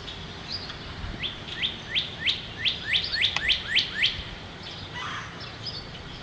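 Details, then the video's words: First day of spring, 2011: a northern cardinal delivers a steady string of about ten upswept whistled notes, roughly three per second, with a soft chirp afterward and a faint low background. "Cardinal Sings on First Day of Spring"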